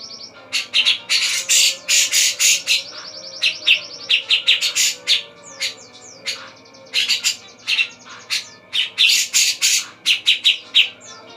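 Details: Javan black-capped babbler, known locally as cucak jenggot, in lively song: rapid loud bursts of chattering notes mixed with steady buzzy trills, continuous phrases throughout.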